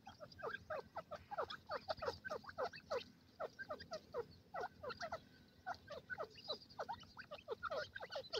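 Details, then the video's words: Forest-dwelling francolin pair, the gadra teetar, producing a long rhythmic chatter of falling, clipped notes repeated rapidly, with a short lull midway before resuming. "gadra teetar ki awaz,pheasant birds jori in the forest"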